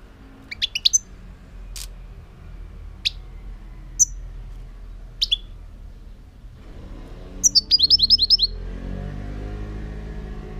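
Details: European goldfinch song, opening with scattered high ticks and thin sharp chirps spaced a second or so apart, then a quick tinkling burst of repeated twittered notes near the end over a steady low background rumble.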